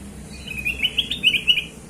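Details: Black-crested bulbul (kutilang emas) sings one continuous run of fluid, warbling whistles, notes bubbling up and down in quick succession. The recording is meant as a lure for other birds.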